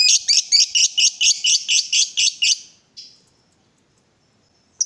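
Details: Excited lovebird, a caged fighter-type bird provoked to call, giving a fast series of about eleven harsh, buzzy notes over two and a half seconds, then a fading note and silence.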